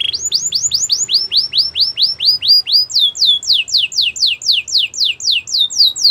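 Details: Belgian canary song made of rapid repeated upward-sweeping whistled notes, about two per second, shifting after three seconds to a higher, descending-slurred phrase of similar rhythm; no other sounds.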